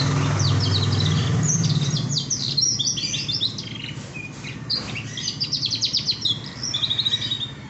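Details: A young male canary learning to sing gives a rambling series of thin, high twitters and short trills. A steady low hum runs underneath throughout.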